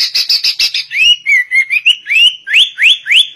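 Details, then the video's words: Sooty-headed bulbul imitating a white-rumped shama: a quick rattling run of notes flows into clear whistles, then a series of upward-sliding whistles repeated about every third of a second. "Kutilang Rasa Murai Batu"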